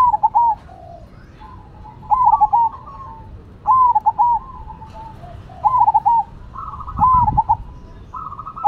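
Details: Competing Cemani and Silver Zebra doves: a string of short trilled coo bursts, about six phrases spaced one to two seconds apart, with a low thump near the end.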